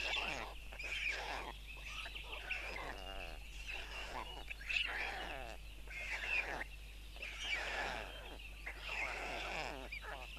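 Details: Four white stork chicks are fed by their father on a nest in Tukums, Latvia, on June 13, 2022, seen on a live nest camera. Repeated raspy, pulsing bursts of layered calls come every second or two, with a background hum.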